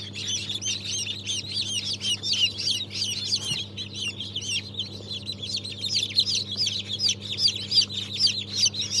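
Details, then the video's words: Chicks just hatched on 3 March 2023, of Brahma, Fizan, Australorp and Legbar breeds, produce an energetic stream of high, looping cheeps, about three per second per bird and heavily overlapping, above a soft constant hum. "Yeni Civciv Çıkımı"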